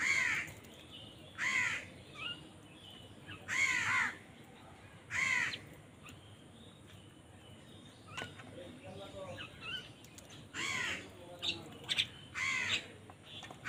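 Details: During a fight over food, crows give a run of loud, rasping caws, often in quick pairs, spaced over about fourteen seconds, with quieter chattering notes between and a faint steady background hum.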